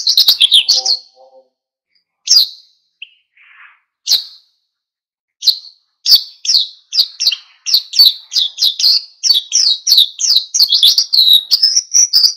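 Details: Vigorous wild-style song of an oriental white-eye, played to provoke other birds into singing: high, thin, sweeping chirps, sparse at first, then a fast, jumbled run of twittering notes that speeds up toward the end.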